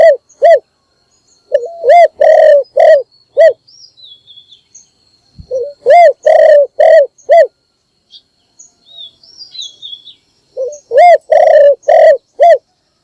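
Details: Spotted dove decoy calling at dawn to attract wild doves: three bursts of rapid, repeated hollow coos separated by pauses, with faint thin chirps of other birds in the gaps.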